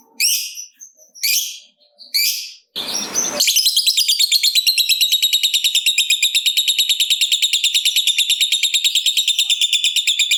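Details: Lovebird fighter, kept to encourage other lovebirds to call, gives a few harsh chirps, then a brief noisy burst, then a long, sustained 'ngekek' trill made of fast, regular, buzzy pulses that runs for several seconds.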